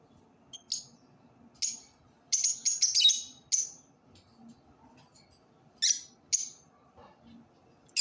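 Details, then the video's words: Lovebirds singing: bursts of sharp, high, buzzy chirps in short clusters separated by quiet gaps, with a faint low hum underneath. "love birds singing"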